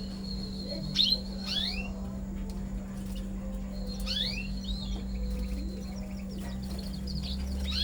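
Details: Canary pairing for breeding, with sharp downward-sweeping chirps in small clusters spaced a few seconds apart, brief faint twitters between them, and a constant low hum underneath.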